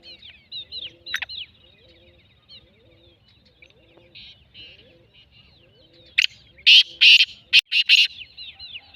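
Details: Black francolin bursting into a loud, harsh series of about five rasping notes late in the recording. Earlier there are only quiet chirps of small birds and a faint lower twitter.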